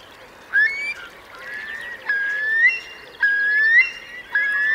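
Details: Eurasian curlew in a roost of roughly 3,000 birds, wet meadows of Marquenterre, Bay of Somme, France, 7 October 2021 at high tide; four loud rising whistled 'cur-lee' calls about a second apart over soft flock chatter.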